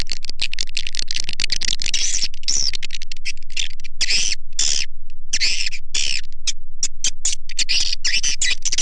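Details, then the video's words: Swiftlet lure call to attract the birds: dense, harsh twittering bursts mixed with quick clicking ticks, nearly continuous throughout. "SUARA PANGGIL WALET"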